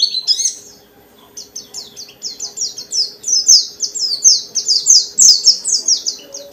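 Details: Lure song of a pleci dakun white-eye, used to trigger other white-eyes to sing: a short opening note, a near-silent pause, then a steady series of sharp descending high chips that gradually get louder.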